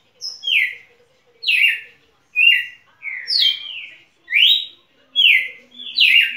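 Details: Champion red-cowled cardinal delivering loud whistled phrases, each a short slurred note either dropping or sweeping upward, roughly one per second in an unhurried series, background otherwise quiet.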